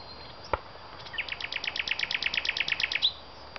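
A nightingale delivers a fast, rich trill of about sixteen repeated high notes over two seconds, with a couple of sharp clicks around it.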